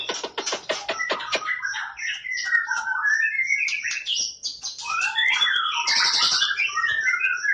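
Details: Competition champion white-rumped shama in a 'tembakan' burst: quick staccato clicks open into flowing, warbled whistles and a bright, buzzy high flourish, sung without a break.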